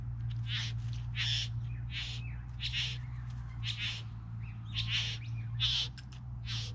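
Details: Bowerbirds, three present, giving rough, hissing, scratchy calls in an uneven series of about nine bursts, with a few thinner notes between them and a constant low hum behind.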